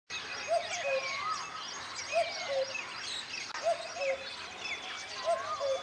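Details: Eurasian cuckoo (Cuculus canorus canorus) in Rajasthan giving its low, falling two-note cu-coo about every one and a half seconds, with higher chirps and whistles of other birds behind.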